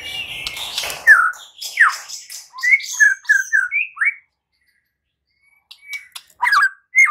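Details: Song of a white-rumped shama, used to provoke other shamas into loud singing. Fast slurred whistles and short warbled notes, a silent stretch, then a few sharp phrases.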